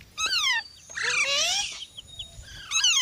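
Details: Green parrot calling naturally: a descending whistled note, then a loud harsh nasal squawk with a long falling tone, and another rising squawk at the end, over a low background rumble.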